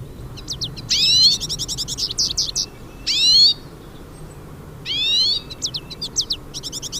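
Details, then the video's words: Hooded siskins singing in nature, several birds: fast high twittering runs broken by loud, buzzy, rising sweeps that recur about every two seconds, with quiet gaps between bursts. "VÁRIAS PINTASSILGO CANTANDO NA NATUREZA"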